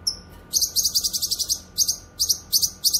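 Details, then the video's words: Cucak kinoy in full song for tutoring pet songbirds and luring wild birds. One thin whistle opens, then a dense, fast stream of high, rattling buzzy notes broken by short pauses. "Masteran suara burung CUCAK KINOY gacor cocok untuk masteran dan pikat"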